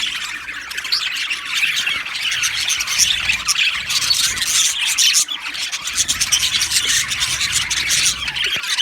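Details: Budgerigar colony in an aviary, a continuous mass of high squeaky chirps and chattering warbles from many birds at once, steady in loudness with sharp clicks scattered through.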